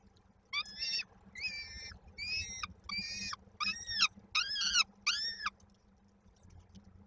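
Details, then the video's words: Peregrine falcon chicks at Koszalin, Poland, on 19 May 2022, waiting for their mother to bring supper: seven loud, harmonic, arched squealing calls, each about half a second long, roughly one per second, over a low steady hum. "w oczekiwaniu na mamę z kolacją"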